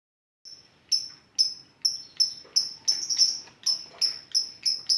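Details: Lovebird in the 'ngetik' song style, used as an effective lure to set other lovebirds singing: sharp, high, clipped chirps repeated almost three times a second, evenly spaced, after a brief silence.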